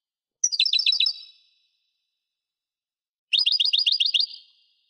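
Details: Two brief phrases of fast, repeated twittering notes from a European goldfinch, about three seconds apart, each trailing off with a slight ring.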